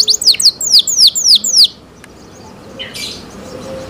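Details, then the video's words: Canary singing cenkok style, six loud, clear, falling whistled notes in quick succession, then near silence with a faint click and a short soft chirp. "LUXURY CENKOK CANARI SOUND, CLEAR SOUND"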